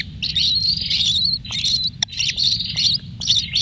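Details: Lone kingfisher chick pampered with food gives long, harsh, buzzy high calls, each drawn out about a second, separated by short gaps and a few clicks.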